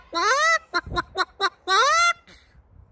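A Moluccan cockatoo imitates a chicken: two loud, harsh, drawn-out squawks framing a quick run of four short clucks, like a hen's 'bawk-bawk'.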